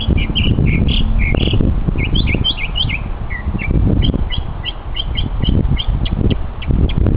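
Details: Mockingbird displaying its vocal talents, heard on a hike: a varied run of whistled and hooked notes, some phrases repeated several times, then rapid clicking chips, against low rumbling noise.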